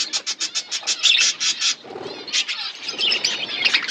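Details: Budgerigar flock chirping while feeding, opening with a quick run of evenly spaced sharp chirps that gives way to rapid, overlapping warbled twittering.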